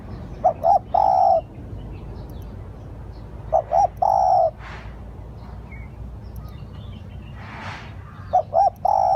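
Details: Spotted dove used as a decoy caller. Three low cooing phrases, each two short hoots then a longer smooth coo, spaced by pauses. Rustling bursts and a faint thin chirp break in between.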